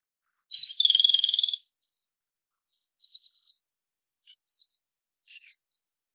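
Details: A Japanese robin delivers one loud, fast rattling trill of about a second, followed by a series of quieter, thin high-pitched twitters and short phrases.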